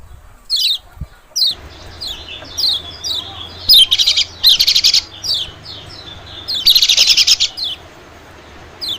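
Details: White-eye calling, used as a lure for small birds: thin descending chirps broken by dense, rapid buzzy trills, with a soft low rumble in the background.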